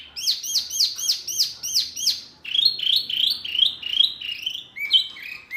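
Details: Songbird masteran, meant to make kept murai, kacer, cucak ijo or jalak answer: a rapid run of sharp, downslurred chirps, then a second, lower series of rich notes, ending in a short whistle.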